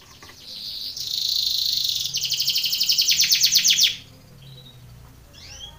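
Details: Belgian canary training song for contest: a high rolling trill, then a quicker run of sharp repeated chirps, ending in quiet with a faint rising whistle.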